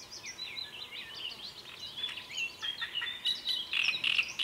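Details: Great reed warbler singing a fast, varied, scratchy chattering phrase that grows louder toward the end, with harsh repeated notes.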